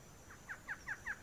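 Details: A male barred antshrike in the wild in Brazil sings a run of nasal, downslurred notes, about five a second, growing louder, over faint background hiss.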